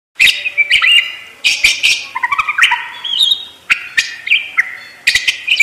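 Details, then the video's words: Parakeet warbling in a chattering mix of rough squawks, clicks and short rising and falling whistled notes, with steady loud bursts and barely a pause. "ISIAN PARKIT FULL MEWAH"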